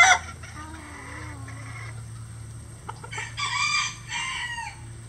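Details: Several roosters, standard and bantam breeds, on a farm keeping at least twenty that crow all day: a distant drawn-out crow early, then two loud, harmonic, rising-then-falling crows back to back, over a steady low hum.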